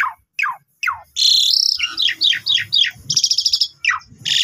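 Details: Young Asian pied starling song meant to train other starlings: three falling slurred notes, a long harsh buzz, a rapid series of short chirps, a rattle and a buzzy close.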